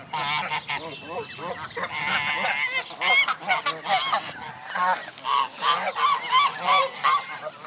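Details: Crowded flock of Canada goose families with goslings at Jess Ranch Lakes Park, May 23, 2014: rapid, loud, overlapping nasal honks, several per second, rising and falling in bursts from many birds.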